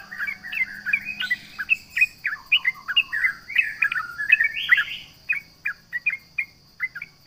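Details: Sooty-headed bulbul, locally trucukan, in a rival-provoking song: a lively, loud string of slurred whistles and rising flourishes for five seconds, easing into spaced single notes, with a faint continuous high whine behind.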